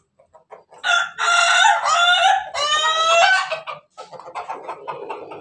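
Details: Laughing-breed rooster, Ayam Ketawa, crowing as it eats: a rich, loud crow in three drawn-out segments lasting about three seconds, followed by rapid, softer chuckling clucks.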